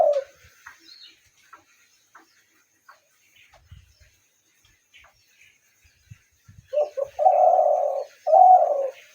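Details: Spotted dove calling: after several seconds of faint scattered chirps, two loud, low, hollow cooing phrases arrive near the end, each a drawn-out mellow coo.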